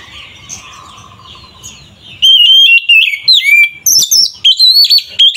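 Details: Kacer, or Oriental magpie-robin, song intended to provoke rivals; a soft low hum for two seconds, then loud rapid whistles, chips and slurred notes in lively bursts.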